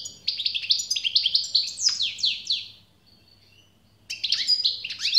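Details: Goldfinch song of rapid descending chirps and tinkling trills, a pause with a soft thin note, then a renewed burst of bright twittering.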